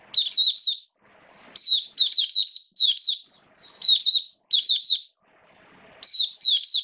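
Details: Oriental white-eye, a caged song bird in rainy season, repeating short bright warbled bursts of about three quick wavering notes, roughly every half second to second, with quiet gaps between.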